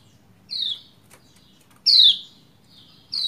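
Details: Calling female Lombok white-eye urging a male to sing, three high downward-sliding chirps, the middle one loudest, spaced about 1.3 seconds apart above soft low hum.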